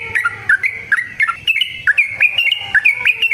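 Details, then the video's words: Yellow-vented bulbul, locally trucukan, singing a lively wild-style song used as a training lure; quick cascades of gurgling, slurred whistles, rising and dipping, repeated without pause. "Trucukan GACOR ngalas ROPEL PANJANG suara alam AMPUH buat pancingan"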